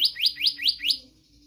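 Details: Five rapid, clear upward-slurred whistles from an Oriental magpie-robin, evenly spaced about five per second, ending abruptly; a steady low hum runs underneath. Presented as training song for other birds.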